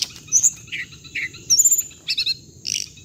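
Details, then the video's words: Hồng hạnh bird audio for lure playback in bird trapping; a few short chirps and a quick rattling trill of four or five notes, then a buzzy burst, over a continuous high thin whine. "tiếng chim hồng hạnh âm thanh để bẫy loa"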